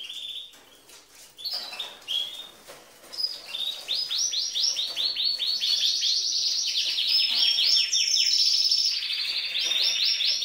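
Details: Female canary giving male-like song that stimulates males: soft opening notes build into a long, loud, rolling series of rapid repeated sweeps, rising higher toward the end.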